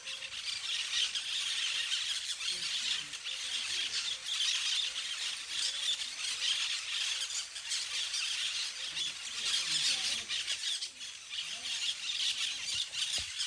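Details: Flock of parakeets playing in the trees: a dense, continuous chorus of shrill, high squealing and screeching calls overlapping throughout, with no pauses between callers.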